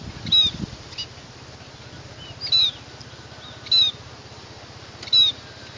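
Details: Scaly-breasted munia giving short, thin, high whistled notes, repeated roughly every second and a quarter, with a low mechanical hum running underneath throughout.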